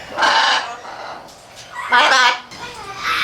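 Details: At a small zoo on Asuwa Mountain in Fukui City, Japan, on 5 October 2013, a neighbouring blue-and-yellow macaw pair courts with a snoring-like sound: harsh, raspy, broadband bursts about half a second long, two loud and a softer third.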